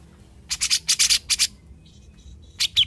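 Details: Grey-cheeked bulbul (cucak jenggot) vocalising; loud harsh buzzy bursts in a quick run of about six, a pause, then a couple of thin higher chirps.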